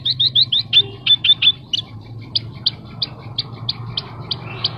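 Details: Horsfield's bush lark singing vigorously, its song full of filler phrases: a quick run of short high chirps, then evenly spaced sharp high tweets over a steady low hum.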